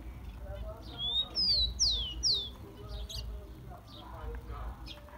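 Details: Captive Rufous-collared sparrow song for warming up caged birds: a brief rising whistle and three descending whistles, somewhat softer, amid scattered clicks and faint background murmuring.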